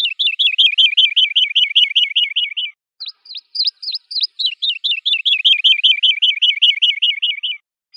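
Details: A woodlark sings a long cascade of rapid, evenly spaced fluty notes, pauses for a few sharp high calls, then resumes an equally long rolling series.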